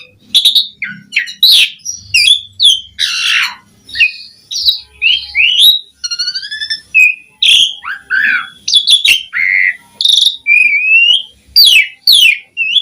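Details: Asian pied starling in long, varied song full of mimicked fill-in phrases, meant to prompt other starlings to sing: a jumble of whistles, buzzy chatters, slurred rising and falling notes, and harsh rasps in quick succession.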